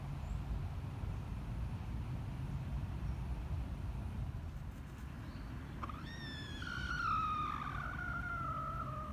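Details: Short-tailed junglefowl making a strange sound on 7 November 2022: after several seconds of steady low rumbling noise, a drawn-out nasal, tonal call that slides slowly downward over about three seconds.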